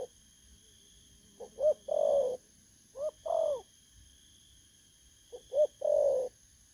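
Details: Spotted dove, a wild-caught bird recorded 19 August 2024, repeating three low cooing phrases. Quick soft notes lead into a rising coo and a drawn-out, gently falling final coo, with pauses between phrases and a faint constant high hum.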